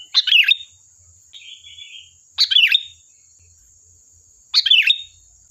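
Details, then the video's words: Sooty-headed bulbul singing as a lure to make other birds reply: three bright, bubbly, liquid phrases, each a quick tumble of rising and falling notes, spaced about two seconds apart, with one softer warble between. "Suara burung Kutilang Gacor || Ampuh untuk pancingan, dijamin nyaut"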